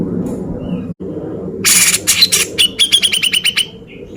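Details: Cucak jenggot, a male Grey-cheeked Bulbul, in lively beset ngepik song used to train contest birds: a few harsh bursts, then a rapid string of short whistled notes with a ringing tone, over low background noise.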